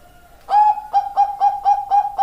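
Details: Perkutut of the Bangkok type: a faint low hum gives way to a rhythmic series of clear, even coos, about six strokes in under two seconds, each note rounded and ringing at the same pitch.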